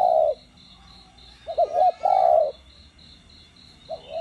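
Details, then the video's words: Cooing spotted dove in the 'đồng' voice used to trigger captive doves: the tail of a long coo, then one full phrase of two short notes and a sustained low coo, then another phrase beginning. A steady high cricket trill throughout. "Cu gáy GIỌNG CHUẨN ĐỒNG GÙ + THÚC kích mồi tập bổi căng lửa. tiếng cu đất gáy"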